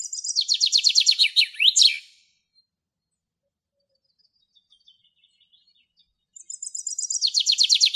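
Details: A common chaffinch (Fringilla coelebs) singing in Greek nature gives two bright songs. Each is a rattling series of notes tumbling down in pitch and ending in a quick flourish, about four seconds apart.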